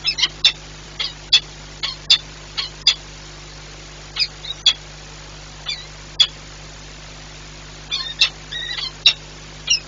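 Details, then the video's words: Peregrine falcons at a nest site at the Orlen plant in Płock, Poland, on 4 April 2021 around 7:14, as the male relieves the female; sharp, high chipping calls in irregular bursts over a steady low hum. "Rafik zmienia Werwę"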